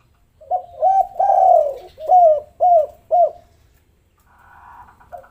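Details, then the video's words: Spotted dove coo series played as a lure to set lazy doves calling; a run of rounded, arched coos builds to a longer note, then three crisp notes, ending with a soft murmur. "pancingan maut tekukur derkuku malas bunyi langsung gacor"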